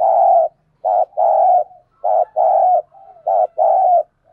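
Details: Decoy spotted dove calling in the 'thúc bổi' style to draw a reply: soft, hollow coos grouped as a brief note followed by a drawn-out one, the pattern repeating steadily every second or so, with nothing else audible.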